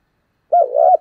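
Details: Spotted dove giving a fighting call: one short, low, hollow coo lasting about half a second, with a slight dip in the middle, against a silent background.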